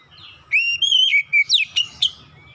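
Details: Lure song of an Oriental magpie-robin, meant to get hard-to-start birds singing: a drawn-out rising whistle followed by quick clear notes and sharp upward flicks, over a faint low hum.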